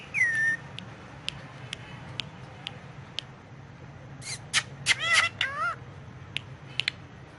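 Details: Pet ringneck parakeet on pillows talking in Urdu/Hindi. A falling whistle opens, sparse ticks follow, then a cluster of loud buzzy harmonic speech-like sounds and a few closing clicks.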